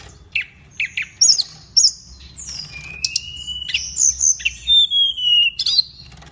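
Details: Indonesian pygmy cupwing in full vigorous song: scattered sharp high chips, then long level whistles and rising slurred notes, ending in a run of evenly spaced short high notes. Low steady hum underneath.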